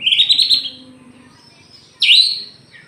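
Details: Aceh white-rumped shama singing nonstop ('gacor'), tail spread open, gives a loud, bright whistled phrase with a quick warble. After a pause, a second sharp rising whistle drops away.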